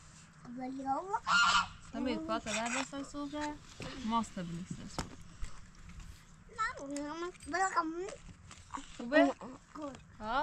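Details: Domestic goose; contact call; calling to search for a lost flock member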